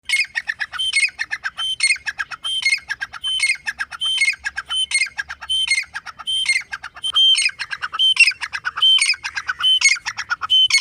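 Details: Grey francolin calling: harsh, squawking phrases repeated steadily, about one every 0.8 seconds, each a rapid series of grating notes ending in a louder ringing note, with no other clear sounds.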